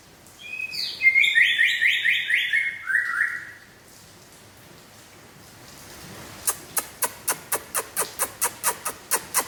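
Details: Aceh white-rumped shama giving one loud whistled phrase of quick descending trilled notes lasting about three seconds. A pause follows, then a run of sharp, evenly spaced clicks about twice per second.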